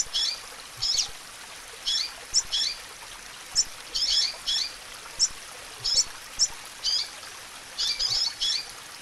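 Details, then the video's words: Female double-collared seedeater chirping and calling to fire up a male, giving a busy series of some twenty high, clipped chips, often doubled or tripled, against a soft continuous hiss. "Chamado de Fêmea de Coleiro Fogueando Seu Coleiro Já"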